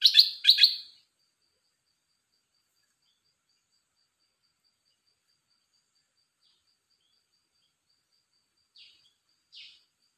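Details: Caged red-whiskered bulbul giving a quick burst of bright, rapidly repeated notes in under a second, followed by long silence and two faint distant notes near the end.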